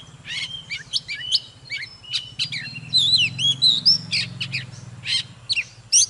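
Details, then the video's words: An Oriental magpie-robin sings while displaying, mixing clipped whistles, downslurred notes and rolling warbles in a fast varied stream, with a soft low hum throughout. "Chòe than HÓT MÚA"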